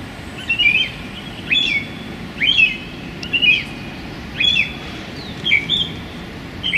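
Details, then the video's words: Song thrush singing in a small London park on a sunny January day: short, bright whistled phrases, each varied and sharply accented, delivered about once a second with brief pauses between, over a low background hum of distant traffic. "Song Thrush Turdus philomelos singing in a London park on a sunny January day"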